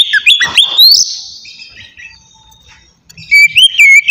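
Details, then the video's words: Oriental magpie-robin, relaxed 'ngeplong' song used to lure untrained birds. Loud whistles with rising sweeps, a long soft fading stretch, then more clear whistled notes. "suara kacer ngeplong santai sangat cocok buat mancing kacer bahan"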